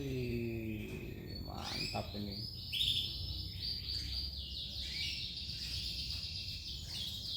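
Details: Male canary singing a continuous stream of high, rolling trills and sustained warbled notes. A man speaks briefly at the start, over a constant low background noise.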